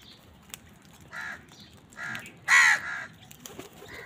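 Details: Crows fighting with wild birds over food give three harsh, hoarse caws about half a second apart, the last one loudest, with faint high bird chirps in between.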